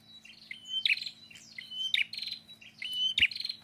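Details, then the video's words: Restless prinia song: a high whistle sliding into a harsh buzzy trill, repeated three times at about one-second intervals, over a soft hum and a faint insect-like background. "PRENJAK GACOR PETAKILAN"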